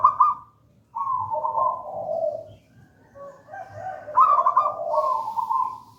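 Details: Zebra dove singing in the local gedang rojo style for use as a lure and tutor: rippling trilled coos over lower purring notes, a brief silence, then the phrases resume, rich and overlapping.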